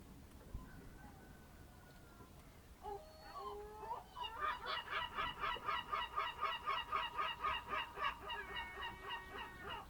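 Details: Birds at a fishing harbour on the Ionian Sea at 07:40 on an early spring morning near Amvrakikos National Park, Greece: a few drawn-out nasal notes, then a fast, even run of harsh, rhythmic honking cackles, about four per second.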